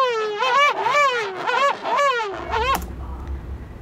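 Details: A female King Penguin at Gold Harbour, South Georgia, gives a loud, trumpeting call of rapid wavering syllables; its syllable pattern tells it from a male. It ends abruptly at under three seconds, followed by a low rumble of wind or colony noise.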